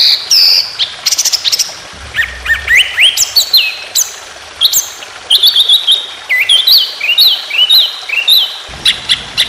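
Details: White-rumped shama contest training song in the long 'tembakan' roll-speed style: rich, varied whistled phrases, some rising and some falling, with sharp high notes and quick trills delivered in rapid succession without pause.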